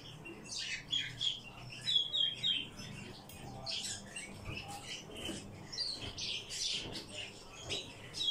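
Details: Captive Eurasian bullfinches calling: thin whistled notes and rapid chirps repeated several times a second, uneven in rhythm, some louder bursts standing out over a faint background hum.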